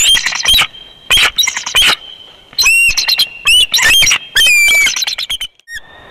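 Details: Bald eagles at the Big Bear nest, 24 February 2021, while an immature eagle buzzes the nest: bursts of high, chattering, piping notes and short whistled slurs, loud and broken, fading out at the end.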